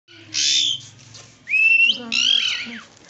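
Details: Slaty-headed parakeet calling: a harsh, broad screech, then a clear whistled note rising and bending upward, followed by a buzzy, harmonic-rich squawk with a quick descending slur.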